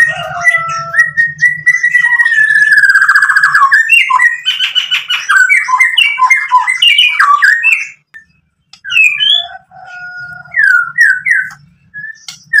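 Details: White-rumped shama song used as a lure: a long continuous stream of rapid whistles, harsh chatter and sliding notes, a brief pause, then scattered whistled phrases, with a faint low hum beneath.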